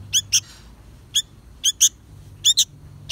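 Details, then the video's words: A young sooty-headed bulbul (kutilang) chick gives sharp, high chirps, often in quick pairs, about every half second over a faint low hum; the call is used as a lure for trapping. "Anak burung kutilang gacorrr"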